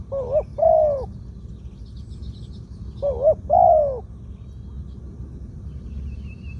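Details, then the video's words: A medium-voiced spotted dove, suited as a ground decoy, sings the 'two kuk, khu-aang' song. Two low cooing phrases, each a quivering short note and a drawn-out bowed note, three seconds apart, then quiet with faint high chirps. "2 กุก คูอ่าง คารม เสียงกลาง ตัวนี้น่าเก็บทำนกต่อครับ นกเขาใหญ่ต่อดิน เสียงนกเขาใหญ่"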